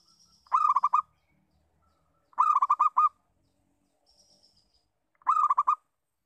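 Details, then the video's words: Lure call of a local zebra dove, three quick bouts of staccato, throaty cooing pulses about two seconds apart, each bout under a second long, with a soft high whistle in a quiet background. "Perkutut Lokal Bersuara Pikat"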